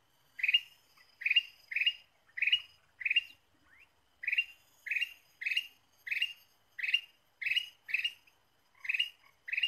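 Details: Trapping-lure recording of a Ruby-throated bulbul giving a long run of clipped, bright, slightly harsh chirps, roughly two per second in uneven groups with brief pauses, over a quiet background.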